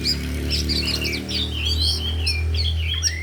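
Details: Four oriental magpie-robins at an afternoon training session, all singing and showing off their repertoire: overlapping fast whistled phrases, slurred notes and chattery trills, over a steady low humming drone throughout.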